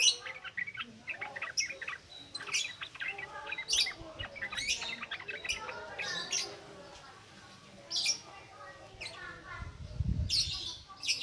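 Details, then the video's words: Yellow-vented bulbul singing in the ngropel ngalas style, used as a lure to prompt newly caught birds; dense bursts of sharp chirps and bubbly warbled notes, with a low rumble near the end. "SUARA BURUNG TRUCUKAN NGROPEL NGALAS COCOK BUAT PANCINGAN BAHAN"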